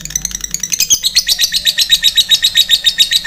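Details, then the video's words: Lovebird in a long, rapid chattering trill, used to provoke a response from rival fighter lovebirds and to train birds to sing; high buzzy pulses repeat about four times a second, with faint music beneath. "Suara lovebird ngetik sambung ngekek panjang, cepat direspon lawan"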